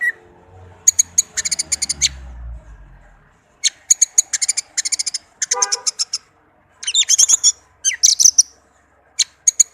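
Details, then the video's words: Orange-headed thrush song from a tame bird: repeated bursts of rapid high staccato notes with trilled and warbled phrases, over a faint low hum at the start. "Anis merah kicau merdu"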